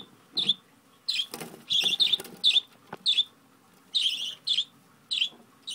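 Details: Hand-fed budgerigar begging eagerly for food: rough buzzy squawks repeated in uneven bursts, a few doubled, mixed with soft flapping and scraping noises between calls.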